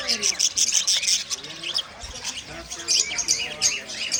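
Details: About 100 budgerigars kept together in one cage chatter in bright, scratchy chirps and warbles.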